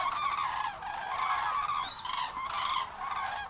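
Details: Common Cranes at Matsalu, USSR, recorded 1979: a dense mix of rolling, trumpeting calls from several birds, steady and loud throughout.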